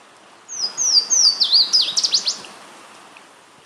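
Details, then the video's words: A Louisiana Waterthrush sings on territory in Boxford, Massachusetts, in April 2018: three or four clear, high, down-slurred whistles, then a quick jumbled twitter of falling notes, over a steady rushing hiss like a stream. "Louisiana Waterthrush singing"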